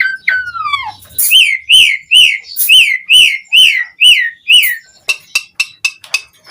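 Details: Song of an Asian pied starling, used to trigger singing in other starlings, opens with two falling whistles, then a regular series of about eight arched, slurred notes, ending in short sharp clicks.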